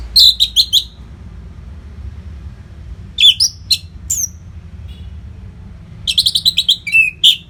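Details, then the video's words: Orange-headed thrush training song used to keep fighter birds in form: scattered bursts of rapid chirps and varied high whistles, some sliding up or down, separated by short silences. "SUARA MASTERAN ANIS MERAH GACOR RAPET NO JEDA INI UNTUK MELATIH FIGTHER BURUNG AGAR SELALU FIT"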